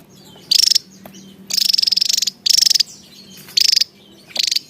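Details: Javan tesia singing actively, delivering five quick bursts of a high, rattling, pulsed trill with a thin whistled core, roughly one burst per second, with a low background hum.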